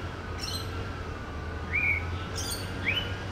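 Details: Male white-rumped shama singing and mimicking other birds: two bright upslurred whistles late in the phrase, preceded by thin descending high notes, over a steady low hum.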